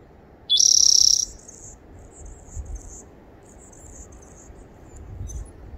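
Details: Spotted towhee on 30 April 2021 gives one brief lead-in note, then a loud, dry, buzzy trill lasting about half a second; fainter high buzzing follows over a low background rumble.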